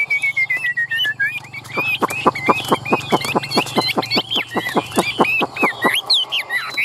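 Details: Tame Chinese hwamei kept in a cage in Vietnam sings, tail spread and wings held high. A falling whistle opens, then a fast stream of sharp repeated notes mixed with twisting whistled flourishes, over steady low hum.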